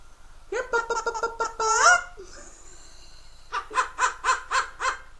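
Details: Pet Amazon parrot, indoors, calling the dogs with a run of rhythmic nasal hoots rising into a squawk, then a pause and a second run of five hoots, as its owner prompts it to call the doggy.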